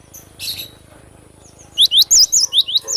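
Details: Cinereous tit known locally as glatik batu: a brief scratchy note, then a quick string of bright high whistles, wavy and swooping, delivered in rapid succession.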